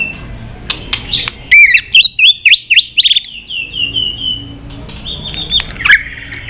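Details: White-rumped shama in agitated fighting song: a fast series of bright, hooked whistles, then a drawn-out high sliding whistle and scattered sharp notes.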